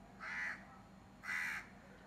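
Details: Crow giving two harsh, drawn-out caws about a second apart, each lasting roughly a third of a second, over a faint steady background hum.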